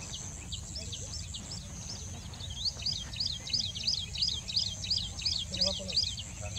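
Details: Rufous-fronted prinia (Prinia buchanani) in India sings a fast series of sharp, high, rising-falling notes, about three each second, over a steady high whine and low background rumble.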